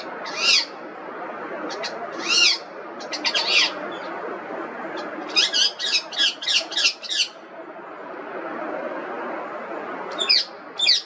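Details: Harsh, shrill squawks from an Indian ringneck parrot, first spaced singly, then a rapid cluster of about eight screeches in the middle, and a final pair near the end, over constant background hiss.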